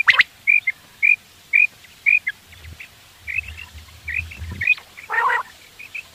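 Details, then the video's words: A quail calling, used for hunting in the morning: a steady series of brief, bright whistled notes about every half second, then a looser run of similar notes and one harsh burst, with faint low background rumble. "Batair awaz / quail sound / subah shekar k leye batairon ki behtareen awazy"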